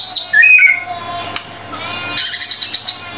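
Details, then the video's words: White-rumped shama song used as training material for other birds: high whistles and a sliding note, then a fast series of sharp repeated chips. "MURAI BATU GACOR"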